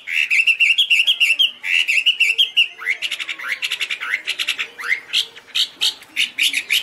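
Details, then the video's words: Chinese hwamei producing a rapid stream of short chirping and whistled notes, fast and jumbled in the first half, then sharper upward-swept notes. "Birds Garrulax canorus high vocals and pure"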